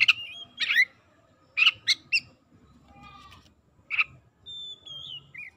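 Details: Oriental magpie-robin lure song for sluggish, mute birds: rough chattering notes, several sharp chips, a soft buzzy trill, a harsh burst, then a thin falling whistle and a short closing note.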